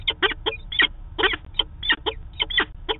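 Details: Peregrine falcons at their daily meeting, Manchester, New Hampshire, 2 September 2018, caught on a live falcon camera: harsh, rasping chupping notes in quick uneven bursts, about a dozen over three seconds, with a low background hum.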